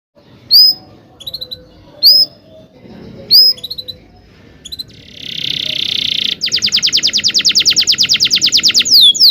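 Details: Canary singing long rolling song used as tutor for young canaries learning to sing: scattered high chirps and short notes, then a buzzy trill and a fast, evenly repeated rolling series of notes.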